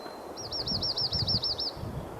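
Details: Dark-eyed Junco recorded in a tree at the Grassy Hollow parking lot, mountains of southern California, on June 8th, a slower-cadence song: slow, even trill of about eleven high, slurred notes over a second and a half, above low rumble.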